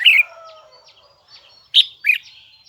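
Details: Huế-type red-whiskered bulbul, a kept songbird, giving short bright whistled notes, while a lower, drawn-out whistled tone sounds underneath at the start.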